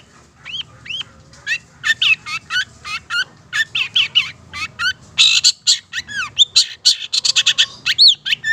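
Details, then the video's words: Long-tailed Shrike from Madura singing energetically as a lure recording: repeated arching whistled notes alternating with harsh buzzy bursts, speeding into a dense, scratchy medley toward the end. "Masteran Suara Cendet Pentet Madura GACOR Cocok Untuk Pancingan"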